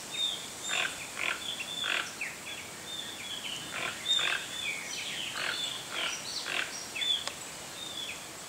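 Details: Dense series of raspy, grunt-like croaks from a Toco toucan, the biggest toucan species in Brazil, coming every half second to second, overlapping many high thin whistled notes from other birds.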